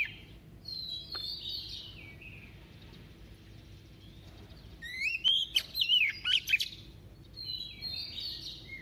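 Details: Female White-rumped shama singing a double-voiced song to excite males. Soft, sliding whistles lead into a loud, rapid cluster of twisting, chattering notes mid-way, then gentle whistles again.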